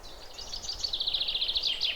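Zebra finch giving a quick, steady run of high, thin chattering notes, several per second, against faint background hiss.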